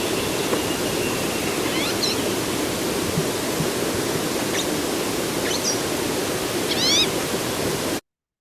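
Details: A Green-tailed Towhee in the mountains of southern California gives a few thin, high, slurred notes spaced a second or two apart, then its diagnostic catlike mew call, over a steady background hiss.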